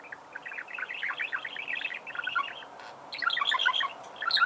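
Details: Budgerigars singing: a dense run of rapid chirps and chattering notes through the whole stretch, with a louder, brighter burst of sharp squeaky notes in the last second and a half.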